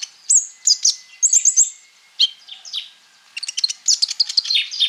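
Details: Konin singing a full repertoire as a lure for sunbirds: scattered sharp high chips, a brief trill, then a dense flurry of quick ticking notes.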